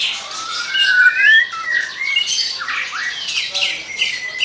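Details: White-rumped shama in energetic song: loud whistled notes sliding up and down, some harsher squawky phrases, a steady high faint tone behind, no other clear sounds.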